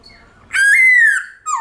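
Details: White-cheeked laughingthrush giving a long-drawn forest song meant to excite pet birds into song: one drawn-out, slightly rising then falling pure whistle, followed by the start of a sharp upward-swooping note.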